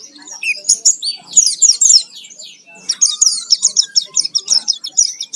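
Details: Pleci (Oriental white-eye) in a 'full isian' lure for provoking song: lively clusters of high, slurred chirps, a brief pause, then a steady rapid twittering run.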